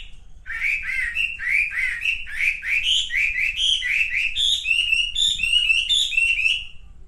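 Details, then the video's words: Male pink-necked green pigeon in a continuous, fast warbling series of squeaky, slurred whistled notes, about four per second, that climb slightly in pitch toward the end. A low hum sits in the background. "kicau wambi jantan"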